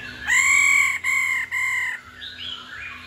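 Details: Female laughingthrush ro call, used to stir males into song: three loud, steady, nasal notes, each lasting well over half a second, then faint rising whistles.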